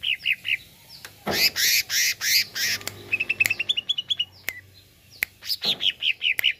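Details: Greater green leafbird song meant to rouse a kept bird: quick slurred whistles, then loud harsh rasping bursts, a fast run of short high notes, and another series of bright chirps with rasps.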